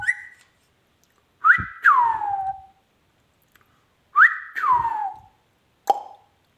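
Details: Ringneck parrot kept as a pet gives two paired whistled phrases a few seconds apart, each a short high note followed by a long falling slur, with quiet gaps and a brief final note.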